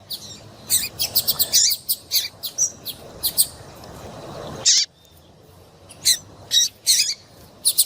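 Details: A female Double-collared Seedeater gives thin, high chirps in quick, uneven bursts, pausing briefly midway before resuming, over a faint low hum; this female call is used by breeders to stir up males.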